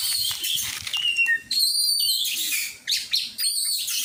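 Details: Oriental magpie-robin during song training, giving long clear whistled notes interspersed with rough buzzy bursts, over steady background hiss and low murmuring.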